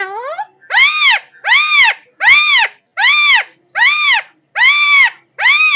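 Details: Parrot calling loudly and steadily, each call a harsh, arched, harmonic-rich squawk lasting about half a second, repeated roughly every 0.8 seconds, seven calls in a row with silence between them.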